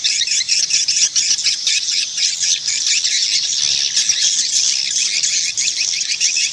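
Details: Swiftlets calling in a steady mass of high, rapid chittering notes that overlap into an unbroken shimmering chorus.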